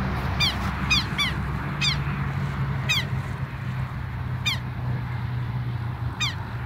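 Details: A nesting pair of Southern lapwings, bold and noisy because their nest is at this spot: strident, descending harsh notes given singly and in quick pairs, irregularly spaced, over low rumbling background noise.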